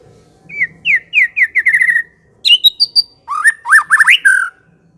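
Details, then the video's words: White-rumped shama in vigorous song: a repeated series of descending whistled notes, a high thin squeaky phrase, then rapid rising whistles, with faint low background hum. "kicau/suara Murai batu gacor | murai Batu ngekek"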